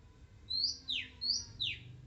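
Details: Oriental magpie-robin singing in the wild, a shy bird that keeps going: a high upslurred whistle dropping into a rasping downward sweep, given twice in quick succession against faint low hum.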